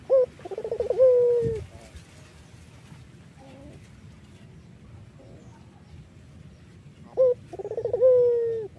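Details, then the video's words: Two song phrases from a collared dove of the Iraqi type, used to lure others: each a short note, quick trill and long falling coo, with a brief soft call between them and a low thud early on. "BURUNG PUTER IRAK GACOR MERDU"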